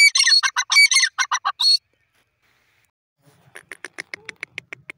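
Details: A grey francolin gives a loud burst of harsh, grating notes, then after a pause a quieter run of sharp, clicking notes repeated about twice a second.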